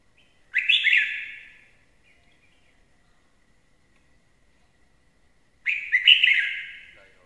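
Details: Red-whiskered bulbul used as a lure bird, giving two loud warbling song phrases about five seconds apart, each a quick burst of clear liquid notes that trails off, with silence between.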